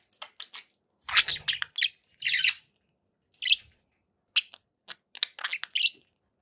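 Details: Pet budgerigars calling in bursts of sharp, high chirps and rapid warbled chatter, separated by short pauses.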